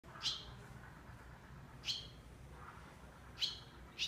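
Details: Barn swallow chicks giving short, high chirps, four of them spaced about a second and a half apart, against a soft low background hum.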